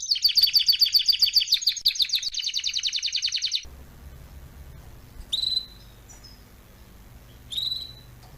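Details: Canary song for teaching young canaries: over three seconds of rapid, dense chirped trill, followed by quiet hum with two isolated sharp call notes.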